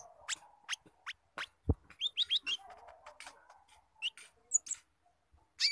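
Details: Song of a spotted brown-throated sunbird with squirrel imitation: scattered sharp chips and short wavering whistles, fairly quiet, over a soft low background hum.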